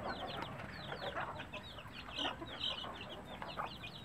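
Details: Native country chicken chicks with their mother hen, who calls them to food: many quick, high, downward-slurred peeps from several chicks run throughout, with soft low clucking underneath.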